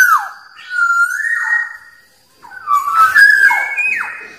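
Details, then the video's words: Wild Black-naped oriole singing to draw rivals: a falling whistle, a level fluty note stepping higher, then after a short pause a busier phrase of tumbling whistles ending in a sharp downward note. "Suara Burung Kepodang liar Paling Ampuh Memanggil lawan"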